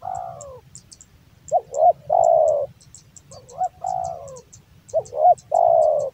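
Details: Male spotted dove, kept as a hobby songbird in Java, singing its big voice: phrases of quick doubled coos followed by a long, slightly falling coo, repeated about every two seconds, with faint regular ticking clicks behind.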